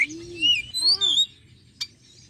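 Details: Oriental magpie-robin lure recording meant to draw wild birds toward the sound; a few slurred, rising and falling whistles, one low curved note beneath them, then a brief sharp click before quiet.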